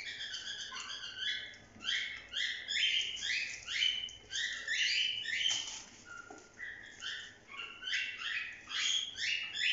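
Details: Several pet cockatiels calling during a bathing day, a dense run of short, rasping chirps repeated about twice a second, overlapping one another with brief lulls and faint splashing-like patter.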